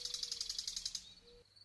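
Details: Nightingale in song delivering a rapid, pulsing high trill of about ten notes in one second, followed by a faint, level whistle and a low steady hum.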